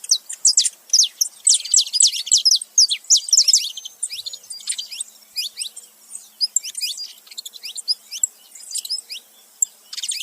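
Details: Male and female saffron finches calling together, a busy stream of high, sharp chirps and rapid downslurred notes, overlapping and irregular, fading a little midway then picking up again.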